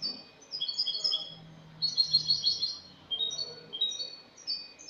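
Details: European goldfinch of Spain in clean song (cante limpio), 22 August 2018: tinkling high twitters in quick runs, a short pause, then more rapid chirping phrases that stay bright and metallic.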